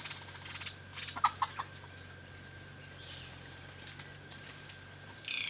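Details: Greater yellownape in Kaeng Krachan, Thailand, calling: three or four short, sharp notes in quick succession over a steady high insect-like whine and low hum.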